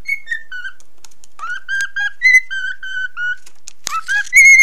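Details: Nine-month-old pet cockatiel singing indoors and following a mobile phone: a run of clear whistled notes, some level and some gliding down, with a few sharp clicks and a brighter rising whistle near the end.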